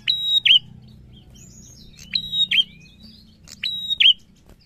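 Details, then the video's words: Prinia, known locally as prenjak, singing energetically in the ngalun narung style: loud whistled notes held level, then a sharp downward flick, given in quick pairs about every two seconds, with faint low hum beneath. "SUARA PRENJAK GACOR NGALUN NARUNG"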